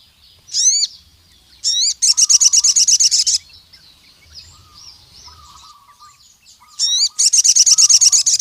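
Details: Wild crimson sunbird, a bold singer calling a rival male: looping upward-hooked squeaky notes, then long, steady, very rapid high rattles, repeated after a pause with softer chatter in between.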